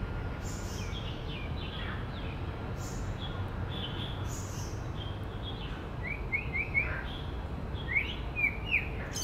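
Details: Male white-rumped shama in the woods, mimicking other birds with bright high whistled notes and fluty phrases, growing louder and richer near the end, some higher chirps mixed in over faint low background noise.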